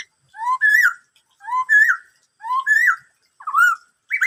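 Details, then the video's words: Black-throated laughingthrush singing "bắt cô trói cột": the same two-part phrase repeated about once a second, a low rising whistle then a higher wavering one, with a variant phrase at the fourth repetition. "em khướu bạc má hót bắt cô trói cột"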